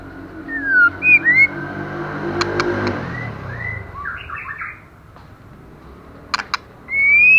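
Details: Female white-rumped shama during moult, singing vigorously: bright whistled slurs open, then faint warbles and a few clicks over a background hum, ending with a long loud rising whistle.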